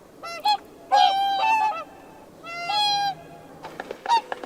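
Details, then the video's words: Swan producing a few nasal honks, two of them drawn out and level, followed by quieter, softer clipped notes as the calling tails off. "¡Escucha el canto del CISNE!"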